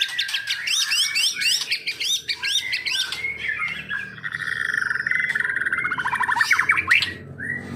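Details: White-rumped shama, Medan type, in a cage, opening with a run of repeated rising whistled notes, then shifting into a long, steady trill of fast chattering notes.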